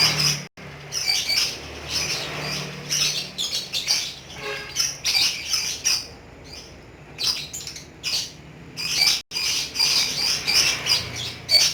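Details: Kept lovebird producing a long ngekek chatter: continuous streams of high, rasping squawks and chirps in quick succession, with a few short lulls and a low background hum.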